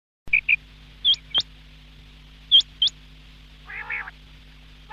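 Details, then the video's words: Quail calling: a few sharp, high whistled notes, some hooked upward at the tip, scattered over five seconds, then one short harsh buzzy note, over a steady low electrical hum. "Quail Sound , Bater Ki Awaz subbha keliey ,Bedana Ovozi,бедана сайраши,"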